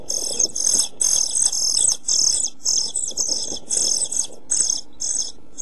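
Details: Pied flycatcher brood in a nest box, 27 June 2013, facing hunger and heat: loud, shrill hissing begging bursts, each under half a second, coming in an uneven stream.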